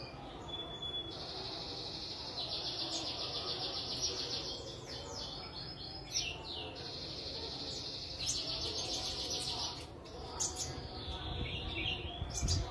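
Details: Newly acquired caged sunbird, two weeks in captivity and beginning to sing while sunned: long, high, rapid trilled phrases of several seconds each, separated by short pauses and a few sharp chips, with faint background noise.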